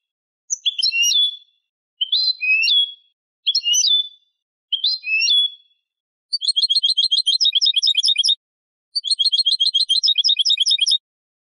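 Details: Song of a European goldfinch hybrid, used for teaching young birds: four separate warbled, slurred notes, then two long fast buzzing trills of rapidly repeated high elements.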